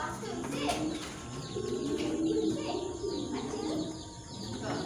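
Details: Beauty Homa domestic pigeons (Columba livia) coo in low, rolling, throaty tones, with a human voice briefly heard; pigeon coo.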